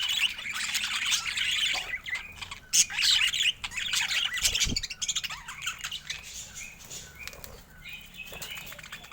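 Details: Several budgerigars chattering together: rapid, scratchy chirps and squawks in irregular bursts, getting louder and softer, with a short low thump partway through.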